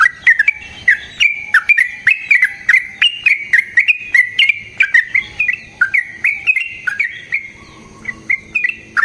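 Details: Lure recording of a vocal yellow-vented bulbul with long rolling phrases. It gives a steady stream of liquid, chirping notes, each sharply struck, repeated about twice a second for nine seconds.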